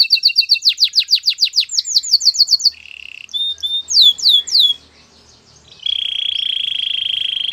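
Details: Training song by a canary: fast repeated whistled upsweeps accelerating into a trill, a short low buzz, a few loud swooping notes, a quiet gap, then a long steady rolling trill.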